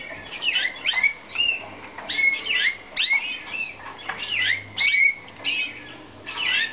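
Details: Canary of the Slavujar song style from a Romanian breeding, singing strong phrases of rising and falling whistled notes with bright trills, delivered in bursts about every half second to one second.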